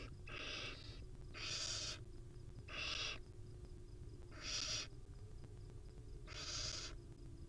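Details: Wild barn owls at a nest, a mother cuddling with her chicks: five harsh, breathy hissing screeches, each about half a second long, repeated roughly every one and a half seconds over a steady low background hum.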